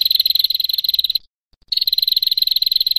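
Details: Female prinia giving its long 'ngetir' trill: rapid, dry, high ticking notes in two dense bursts around a short silent gap, with no other sounds.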